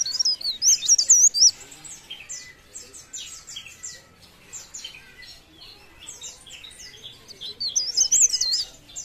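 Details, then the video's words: Leaf warbler pouring out high, looping whistled phrases, a loud burst at the start and another near the end, with softer chips between. "Cikrak daun Gacor"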